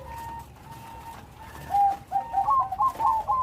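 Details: Bangkok-type zebra dove singing with a loud voice: a few soft, level coos, then louder bubbling, stepped notes gathering pace toward the end.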